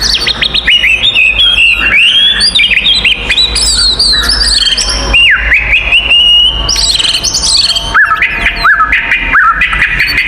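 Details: Oriental magpie-robin fighting song used to provoke other magpie-robins: ten seconds of unbroken, varied whistling with rapid trills, high chips and downward swoops, loud and dense over a faint low hum.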